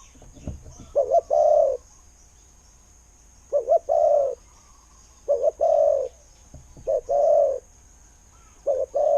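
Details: Spotted dove kept as a decoy with a fine voice, giving low hollow coos, each phrase a quick double note followed by a drawn-out coo, repeated at roughly two-and-a-half-second spacing against a quiet background.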